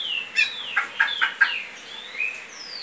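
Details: Great-billed seed finch singing in the Goiano liso song style: clear descending whistled slurs followed by a quick run of four short, evenly spaced notes, then a rising whistle, over a light hiss.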